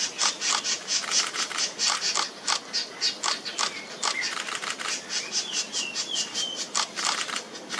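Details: Male Laced Woodpecker feeding two chicks at a nesting hole in the Chinese Garden, regurgitating food: harsh, raspy bursts, about three a second, with a few thin, faint whistled notes slipping in between.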